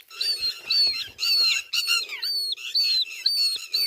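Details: Northern lapwing calling in a quick series of squeaky, slurred, high notes, about two a second, overlapping and rich in harmonics, with fainter lower chatter beneath.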